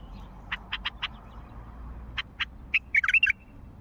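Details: Wild bulbul of Mandali giving four quick sharp notes, a pause, two more notes, then a rapid liquid, gurgling phrase of rising and falling whistles at the end. Steady low hum underneath.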